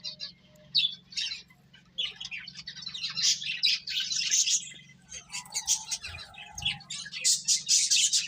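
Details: Finches eating and playing, giving many short high chirps and twittering bursts from several birds at once, some rapid buzzy trills, with a faint low hum underneath.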